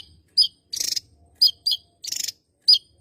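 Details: Javan tesia, a bird endemic to Java, singing actively: short sharp high whistled notes alternating with dense buzzy rattling bursts, about six phrases in three seconds, with a faint low rumble underneath.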